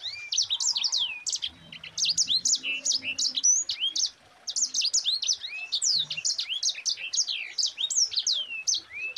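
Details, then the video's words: A Mozambique Canary (yellow-fronted canary) sings a tight, rolling song used as a tutor for other birds: a fast, continuous run of high, bright whistled and trilled notes with slurred sweeps, barely pausing for nine seconds. "Suara Burung Sanger Gacor NGEROL RAPAT"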